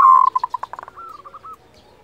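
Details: Local zebra dove giving a kerot call used to stir breeding desire and fighting spirit in other doves; one loud opening coo, then a quick run of short staccato notes slowing into a few rolling, evenly spaced coos.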